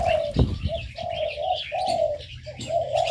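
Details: Aviary birds: loud, low hooting notes in short phrases with brief pauses, a soft thump early on, and high chirps overhead.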